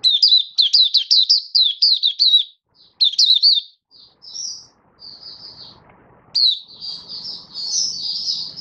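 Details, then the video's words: A Malaysian Oriental white-eye, said to be slightly down in form, sings a rapid run of thin, high, chirpy notes breaking into longer twittering warbles, with faint low room noise behind. "Mata Puteh Happy Buka Sing"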